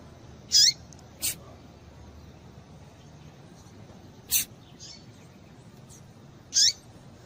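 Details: Double-collared seedeater female calls, used to excite males: a few high, sliding squeaks and short sharp ticks spread across several seconds, with faint softer chirps in a quiet background.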